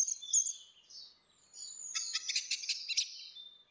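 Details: Female and male orange-headed thrushes in ngeplong song as a lure: soft high whistles, then a dense buzzy stretch of rapid stuttering notes, fading to one thin whistle at the end.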